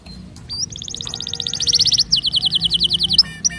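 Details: Canary song for encouraging other birds to sing: a long, even, rapid trill followed by a slower series of repeated chirps, with a faint low background hum.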